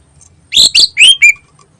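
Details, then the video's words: Greater green leafbird singing as a lure, four loud rich harsh-edged notes in quick sequence, the last a clear downslurred whistle, with quiet background between. "Burung Cucak Ijo Gacor Ngentrok Bagus Buat Pancingan"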